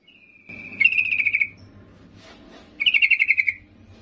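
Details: Female yellow-vented bulbul calling the male: a steady whistled lead-in running into a fast chatter of about eight bubbly notes, then a second similar burst after a pause.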